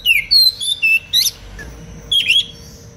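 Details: Kacer, the Oriental magpie-robin, used as a singing model for other birds, giving short loud whistled phrases in quick succession, some slurred downward, with a gap mid-clip before a final buzzy whistled burst; faint hum behind.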